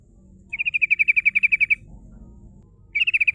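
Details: Sooty-headed bulbul song in rolling, shooting style to lure rivals: a long, fast, even trill of about fifteen bright repeated notes, then after a pause another rapid trill begins.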